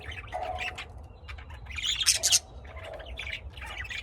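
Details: Lovebirds bred at home in Austin, Texas, uttering scratchy chirps and a loud shrill squawk burst in the middle, then softer twittering, over a constant low hum.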